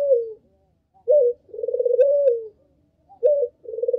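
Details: Lure cooing of a Barbary dove, meant to draw in other doves: a brief upswept note, then a drawn-out pulsing coo that falls away, in a steady low-pitched cycle.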